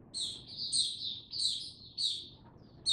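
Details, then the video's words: Oriental white-eye in captivity, 2 May 2022, giving short, high, sweet warbled phrases about twice a second, each a quick slurred twitter, with a faint hum underneath. "Mata Puteh Hercules buka sing"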